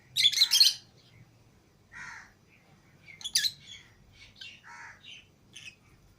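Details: Lovebirds outside the cage with others squawk loudly at first, then follow with shorter buzzy chirps and high twittered notes spread irregularly.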